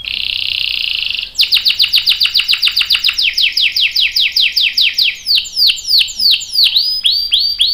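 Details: Canary singing to stimulate other canaries to answer: a dense buzzy roll, then a loud run of sharply descending whistled sweeps that gradually slow and spread out toward the end.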